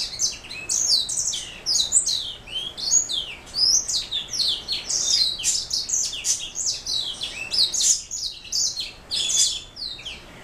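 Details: Canary hybrid mule, black throat type, pouring out a long twittering song of quick high chirps, downslurred notes and short trills, with one short dip near the end.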